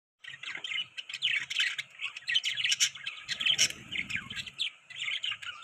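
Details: Several pet budgerigars chirp together in a busy, overlapping stream of short, bright tweets and warbled notes, with no pauses, and a brief soft low rustle midway.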